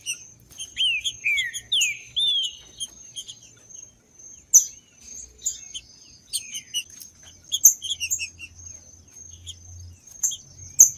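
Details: Green-winged saltator singing in the wild, used to warm up caged birds: loud slurred whistles falling in pitch open the clip, then scattered high chirps and clicks over a steady high-pitched whine.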